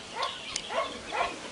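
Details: Guinea fowl on a farm property near Katerini, Greece: three harsh, raspy calls spaced about half a second apart, each a grating burst with a rising-falling edge.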